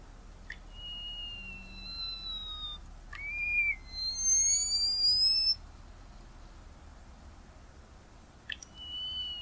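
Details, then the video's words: Tricoloured munia (Lonchura malacca) song: soft clicks followed by long, thin, high whistles that slide slightly up or down, several overlapping, over a quiet background hiss. "Canto del Capuchino Tricolor"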